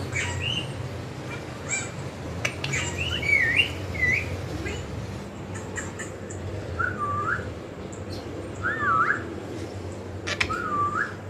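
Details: A pet talking ring-necked parakeet gives a string of looping, whistled phrases, each rising and falling, against a low room hum and a few sharp clicks.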